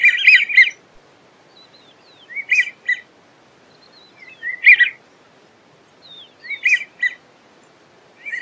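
American wigeon giving breathy, squeaky whistled phrases in short bursts about every two seconds, with thin faint whistles between, against a quiet background.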